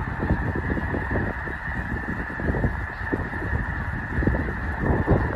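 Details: Snow geese by the thousands at a northwest Missouri refuge, Loess Bluff, in fall: a thick wall of nasal honks and barks overlapping constantly, loud throughout.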